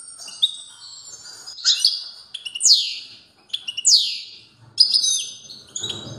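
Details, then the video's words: A European goldfinch's strong song, with loud downward-sweeping whistles and short twitters spaced over several seconds, plus a faint low rumble near the end. "تغريد قوي لطائر الموقنين"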